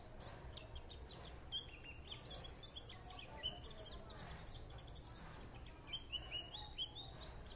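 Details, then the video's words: High, thin twittering from a white-eye, with short chirps and little trilled phrases that come in bursts, over a soft low rumble. "Nghe Khuyên líu lô"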